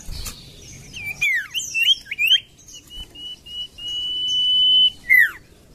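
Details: Common iora song used as a lure to get quiet birds singing: a run of quick looping whistled phrases, then a long steady high whistle held for over a second, ending in a sharp falling slur. Faint high chirps sit behind it.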